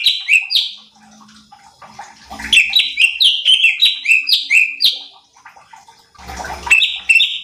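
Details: Light-vented bulbul (cucak cungkok) on a training recording to provoke other birds: bursts of rapid, down-slurred chirping notes, roughly two per second, broken by short rustling noises.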